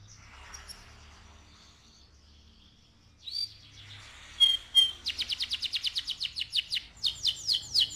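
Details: Canary singing loudly in rolling song, starting with a faint twitter, then a rising whistle and two sharp notes, followed by a fast run of evenly repeated downslurred high notes, about three per second.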